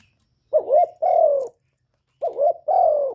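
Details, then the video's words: Decoy spotted dove contesting a wild bird with two cooing phrases, each a quick wavering double note followed by a long, steady, gently descending coo, separated by a short silence. "Tiếng cu mồi lỡ gù đấu bổi"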